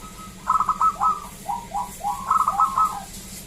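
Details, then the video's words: Local zebra dove singing in clear, loud phrases: rapid clipped notes, a few lower sliding coos in the middle, then another fast rattling burst. "Perkutut lokal Gacor SUARA ASLI KRISTAL MERDU Ampuh Mengundang Bunyi Semua Perkutut Lokal"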